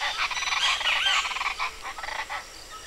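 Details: West Mexican chachalaca in the Vallarta Botanical Garden, Jalisco, Mexico, giving harsh, raucous, grating calls, burst after burst in a rapid clattering run, with voices seeming to overlap.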